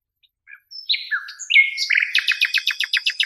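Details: Nightingale singing on a song tape: quiet scattered whistles and slurred notes building into a loud, rapid series of sharp repeated chirps, roughly two or three per second.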